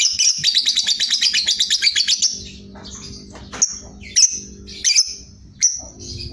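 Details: Ngekek chatter of a sooty-headed bulbul: a rapid, high, repeated burst of notes lasting about two seconds, followed by short separate sharp whistled notes every second or so over a low background hum.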